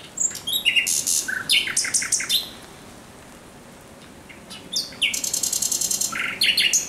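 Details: Thrush nightingale at night, 17 May 2023: two loud phrases of rapid rattling and clicking notes separated by a pause of about two seconds.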